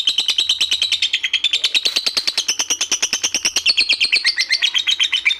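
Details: Long ngekek call of a collared kingfisher (lobet): rapid, harsh, high-pitched kek notes repeated in a steady run, the pitch rising slightly midway and dipping near the end.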